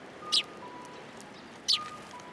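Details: Sparrows coming to a post to be fed, at a Tenmangu shrine on 7 January 2023; two short high chirps about 1.4 seconds apart, with a faint steady tone in the background.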